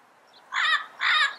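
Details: Two loud, raspy squawks from a yellow-headed amazon, each about a quarter second long, half a second apart.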